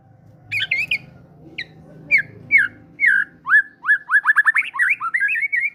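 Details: A prolific fighter white-rumped shama sings great tit imitations, meant to prompt silent birds to sing. Scattered high chirps speed up into a run of rising, slurred whistles that ends in a short warbling twitter.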